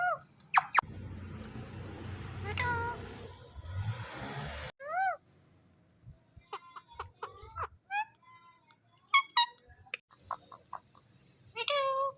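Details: Indian ringneck parrot mimicking human speech: scattered short, voice-like syllables and chirps with bending pitch, some rising sharply, with a patch of hissing noise early on.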